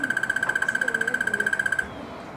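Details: Crested barbet (Trachyphonus vaillantii) at Oliphants Camp, Kruger National Park, South Africa, 31 August 2013, giving a steady, purring trill of about twelve even pulses a second for nearly two seconds, then stopping; faint background murmur.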